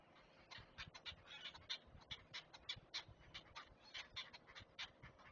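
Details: Nest camera at Chesapeake catches great blue heron chicks being fed: rapid, rasping clacks and ticks, clumped in short runs, with faint low bumps below.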